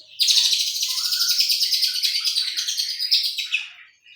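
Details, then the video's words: Lovebird filler song in the Cililin, jenggot and sewing-machine styles: a continuous, dense, buzzy high chatter lasting about three and a half seconds, with fast pulsing like a sewing machine running. "LOVEBIRD isian Cililin Jenggot Mesin Jahit"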